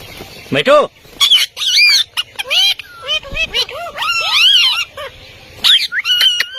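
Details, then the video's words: Indian ringneck parakeet talking in Urdu or Hindi, its mimicked words sounding as loud, clear harmonic phrases that rise and fall in arcs, broken by sharp high squeaks and short pauses. "Best Ringneck Talking Parrots | Urdu Hindi Bolne Waly Behtreen Talking Parrot"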